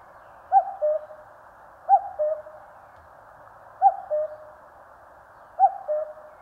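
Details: Cuckoo calling in the mountains of Korea: a clear two-note 'cuck-oo', higher first note then lower longer one, repeated four times roughly every two seconds over a steady band of background hiss.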